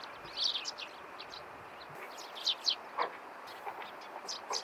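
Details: Eurasian tree sparrow calling in the morning: scattered short, bright chirps, some doubled, rising out of a steady low background hiss.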